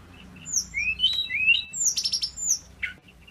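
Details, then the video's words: Male pygmy cupwing sings energetically: high thin whistles and upward-slurred notes, followed by a dense cluster of fast, buzzy high chirps and a final short dropping note. "BURUNG SEKECIL INI KALO SUDAH GACOR...TLEDEKAN GUNUNG JANTAN FULL SENYUM"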